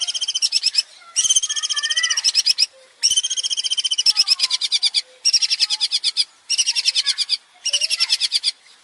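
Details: Singing male long-tailed shrike delivering a varied song: bursts of rapid, high, scratchy rattles lasting one to one and a half seconds, separated by brief pauses, with soft lower whistled slurs beneath.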